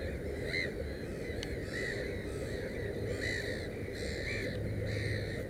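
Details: A black-headed gull at its nest with three chicks, 15 May 2016, gives harsh, rasping calls about once a second over a steady low rumble of wind.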